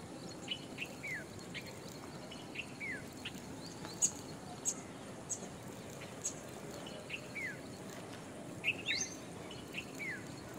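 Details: Jungle babbler (Argya striata): short, high, downslurred chirps come in small bursts of two or three, scattered over ten seconds against a steady hiss of insects and environmental noise.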